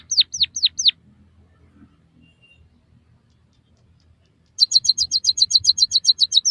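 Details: Recording made to train captive birds, white-headed munia: four sharp falling whistles, a quiet pause, then a long rapid buzzy trill of very high notes.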